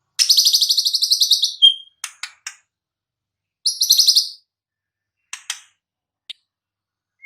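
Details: White-rumped shama recorded in the wild: a long harsh, rattling trill held for over a second, sharp clicking notes, a second short buzzy rattle, then scattered dry ticks.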